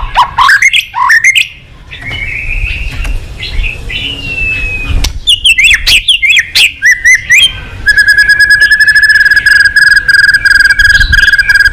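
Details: White-rumped shama, a songbird prized by enthusiasts, singing varied whistles and chattering phrases, then a long, even, rapid trill on one pitch lasting about four seconds.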